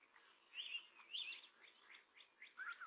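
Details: Male Song Sparrow singing a fairly complex song to declare territory ownership and attract females: bright whistled opening notes, then a quick series of short buzzy, descending chips and a closing trill-like phrase, no other sounds.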